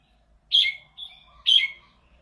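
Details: Golden-voiced red-whiskered bulbul from Thailand sings two loud, rich whistled notes about one second apart, each dropping into a lower tail, with a softer linking note between them.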